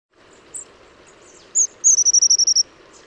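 Long-tailed tit: a couple of thin, very high notes, then a fast run of about nine tiny 'see-see-see' calls, over steady low background hiss.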